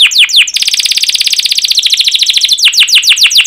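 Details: Canary singing loud, sharp 'cuit cuit' phrases meant to lure canaries into song: a few slurred chirps, a dense fast buzzing trill lasting about two seconds, then more downward chirps.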